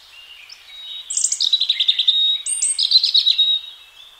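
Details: Free-living European robin (Erithacus rubecula) spring song: two high, thin phrases, each opening with sharp upper notes and running into a quick, tinkling, slightly falling trill.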